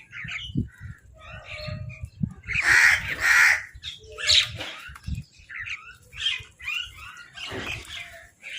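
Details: Crows calling while fighting over food: loud, harsh, broad caws cluster around the middle, surrounded by busy chattering and squawking from many other birds, with low thumps underneath.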